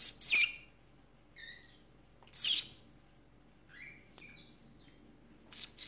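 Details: Female canary kept as a pet, calling as if in conversation with its owner, recorded indoors in February 2018: short high bright chirps and brief whistled notes, scattered with long quiet gaps between.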